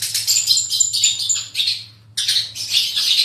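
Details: Long-tailed shrike singing harsh raspy high phrases with short pure whistled notes, broken by a brief pause.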